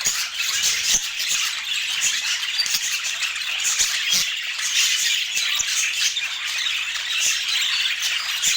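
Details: Budgies keep up a lively, scratchy twittering while eating their daily food, with fast, overlapping high chirps and occasional faint clicks throughout. No music or human voices.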